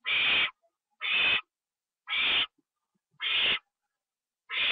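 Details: During a night feeding at 1:52 AM on 25 September 2011, an owl eating a treat inside produces five broad hissing screeches, each about half a second long, roughly every 1.1 seconds.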